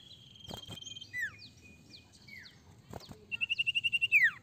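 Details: Ashy tailorbird (sirtu) song used to lure others: faint thin whistles and knocks, then a fast, loud trill of about ten even notes dropping into a downward slur at the end.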